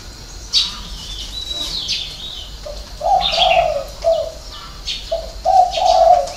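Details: Spotted dove in six-note cooing style ('hậu 3'), with two bursts of soft, mellow, slightly wavering coos in the second half, among sharp high twitters and chirps from other birds.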